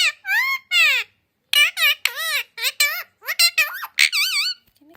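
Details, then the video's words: A multilingual pet parrot repeats phrases such as "give me kiss" in rapid, high-pitched squeaky syllables with wavering, bending tones, about a dozen bursts over five seconds, ending with a faint low human voice. "Parrot sound ❤️My parrot can speak Hindi , English, Urdu,Kannada Malayali and Telugu"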